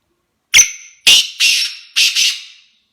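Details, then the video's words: Black francolin, known locally as kala teetar, calling: a sharp high whistled note followed by three harsh, buzzy, descending phrases, the last one double, over about two seconds. "Kala teetar ki boli"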